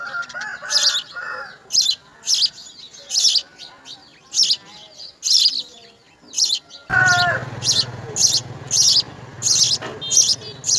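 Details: Nest of house sparrow babies fed insects by an adult; a steady series of high, harsh begging bursts about every half second, with other lower chirps early on and a louder background hum joining in the second half.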